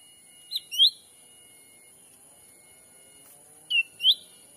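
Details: Black-capped bulbul call played as a lure for wild birds in forest in Sumatra: two paired chirps, a short note then a louder upslurred whistle, the pair repeated about three seconds later.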